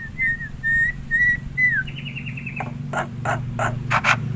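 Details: Black-winged myna in the wild, used as a bird lure: clear whistled notes near steady pitch, several short slurred phrases, then a fast buzzy rattle and sharp clicking notes over low background hum.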